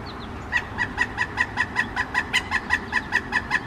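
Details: Male pileated woodpecker at a suet feeder by a kitchen window, calling on arrival: a long series of loud, even, ringing notes repeated about two to three per second, steady throughout.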